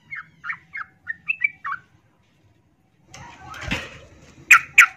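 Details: Female yellow-vented bulbul in breeding condition calling to a male: a quick series of short chirped notes for under two seconds, followed by a pause, then rustling noise and two sharp clicks.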